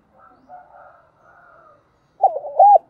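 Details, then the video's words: Spotted dove kept as a decoy calls to train newly caught birds: soft, wavering coos first, then a burst of loud, rough, arched hooting notes after a brief silence. "Chim Cu Mồi gáy gọi, luyện bổi gáy theo mỗi ngày/ Tiếng chim cu gáy kích bổi nhanh nổi"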